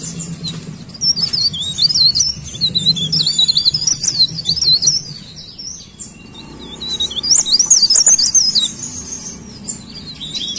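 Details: High thin leaf warbler song comes in two bursts of quick, twisting whistles and sharp chips, separated by a quieter pause of a few seconds.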